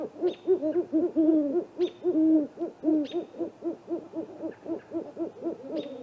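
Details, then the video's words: A pair of Great Horned Owls visiting a Great Gray Owl snag-tree nest at 8:50 pm on April 21 give a dense run of soft, low, rounded hoots, several per second and overlapping, with faint ticking behind. "Great Horned Owls"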